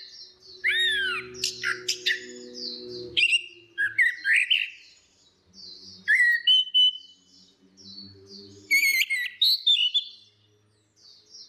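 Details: Female and male orange-headed thrushes singing in the full ngeplong style, used as a lure for a bird that has stopped singing: loud varied whistled phrases with sharp rising and falling notes in bursts, with a faint low hum beneath.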